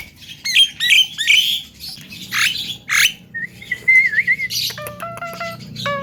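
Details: Caged Javan myna, a young bird described as a chatty future champion able to talk, giving harsh squawks, short buzzy bursts and a wavering whistled phrase, ending in quick clicking notes with stepped tones.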